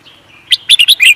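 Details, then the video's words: Songbird kept for singing competitions, a series of sharp high chirps and trills in quick succession after a faint thin whistle, clear and loud against quiet background. "The Beautiful Bird singing | Look how sweetly this bird"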